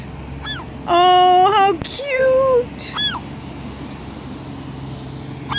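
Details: Young gulls on cliffs beside a hotel at Pismo Beach, 18 June 2016: a loud, harsh drawn-out cry, a shorter nasal call, and several thin downward-sliding peeps, with a woman's voice and low traffic hum behind.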